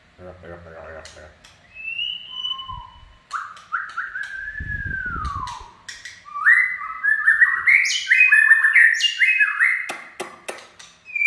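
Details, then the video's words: White-rumped shama song: a slow start of lone whistles and a long falling slur, building to a rapid varied run of stepped whistles and higher notes, with scattered clicks and a low thump. "Chích chòe lửa chạy cầu shama run"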